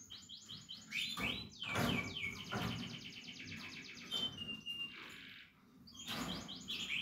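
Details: Portuguese Harlequin canary chicks producing sweeping slurred whistles and long rattling trills, broken by a short pause, then another burst of quick rising notes.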